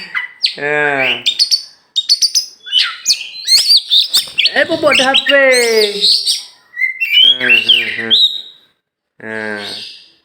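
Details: Tame champion oriental magpie-robin from Meulaboh, Aceh, allowed free flight before caging; rapid chirps and sweet whistles alternate with rasping, harmonic rattling phrases, then a short pause and a final harsh burst.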